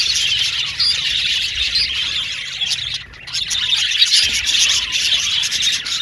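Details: Aviary flock of male violet budgerigars chirping in a busy, high twittering chorus that drops away briefly near the middle before the chatter resumes at full strength.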